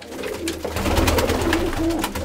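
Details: Fancy pigeons at a pigeon farm in Ranipet, kept in pairs, give low, soft, rolling coos that overlap from several birds at once, with a muffled indoor background hum.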